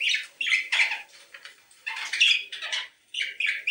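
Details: Budgerigars giving a mating call meant to stimulate breeding: dense, chattering warble of scratchy squawks and short whistled notes in uneven bursts, broken by brief pauses.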